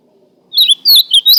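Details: Short fragment of ultramarine grosbeak song: four or five loud, swooping whistled notes in quick succession, the last ones rising sharply.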